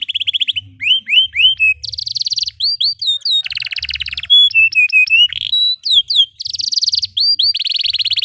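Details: Long canary song in the rolling style, used as a master song for young birds and for canaries that stopped singing: clear upslurred whistles repeated in series, dense buzzy trills and short level notes, changing phrase every second.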